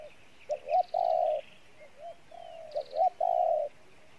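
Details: Spotted dove cooing with a good voice: two phrases, each a couple of quick rising notes leading into a long level coo, with faint high chirps of other birds in the background.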